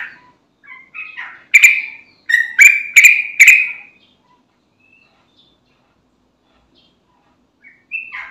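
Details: A lure recording of a lively sooty-headed bulbul for prompting other bulbuls: a few soft chirps, then four loud, rich whistled bursts in quick succession, followed by silence and one short phrase at the close.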